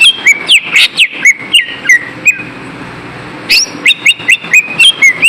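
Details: Lesser green leafbird lure song to stop birds being lazy: rhythmic whistled notes with downward slurs, a quiet gap around three seconds, then a renewed series of sharp rising and falling whistles.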